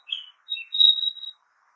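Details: Forest song of a Narcissus flycatcher: a brief slurred whistle, a short lower note, then a sustained level high-pitched whistle lasting about half a second, delivered cleanly against near-silent background.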